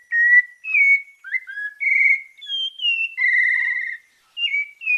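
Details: Melodious song of a sabiá-parda thrush from Bahia, Brazil, in 'santa fé' style: varied whistled notes slurring up and down, including one rapidly trilled, burry phrase in the middle.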